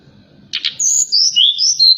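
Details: Night-time forktail lure call used to rouse other birds: a short burst of scratchy notes, then a series of thin, high whistles that slide and waver, one after another.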